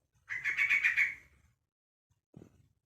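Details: One buzzy, pulsed chatter lasting about a second comes from a one-month-old young Yellow-vented Bulbul calling to other bulbuls, followed by silence and a soft thump.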